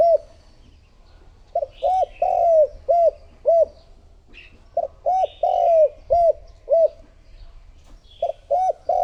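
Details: Calling spotted dove kept to draw in wild doves: three evenly spaced phrases of about six soft, hollow coos, each with a drawn-out middle note. Faint high chirps sound between phrases.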